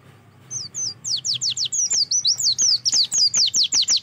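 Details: Oriental white-eye song used as a lure to make white-eyes start singing: a fast, high run of thin, slurred descending notes, about three per second, bright and tumbling, with faint low hum beneath.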